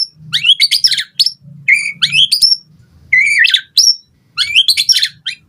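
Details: White-rumped shama singing to provoke other birds into answering: bright high whistles and rising buzzy phrases in quick bursts, separated by short gaps, with a faint low hum underneath.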